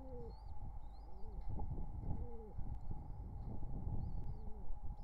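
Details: Courting wild pigeons beside nestlings, summer 2023, give soft arched coos in loose bursts, often doubled, over a constant hum and rustling. Brief high squeaky chirps from another bird sound in between.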